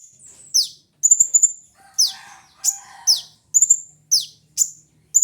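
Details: Kolibri ninja sunbird singing: high, thin downward-sweeping notes alternate with a fast ringing trill and short chirps, with brief quiet gaps between bursts.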